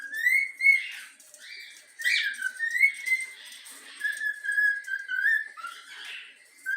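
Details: Pet yellow-cheek cockatiel whistling the Flamengo anthem: smooth, sustained tonal notes linked into a flowing melody, gently rising and falling, with a few buzzy accents between phrases.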